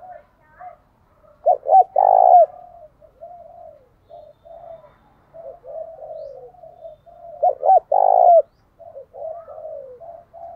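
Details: Spotted dove kept as a decoy to provoke wild doves, giving two loud coo phrases six seconds apart, each two quick notes and a long vibrating croo, while softer coos from other doves continue throughout.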